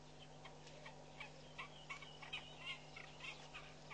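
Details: Southern Masked Weavers building and lining their nest at Pete's Pond, Mashatu Game Reserve, Botswana, in February 2012 chatter in short, buzzy, scratchy bursts, several per second at uneven intervals, over a steady low mechanical hum.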